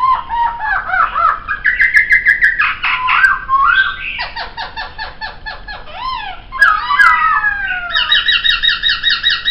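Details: Poksay singing a varied, chattering medley of arched whistles, rapid repeated notes and falling slurs, ending in a steady run of layered whistled notes.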